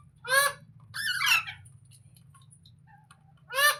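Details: Three loud, harsh parrot squawks, the middle one wavering and chattering, heard over a steady low hum.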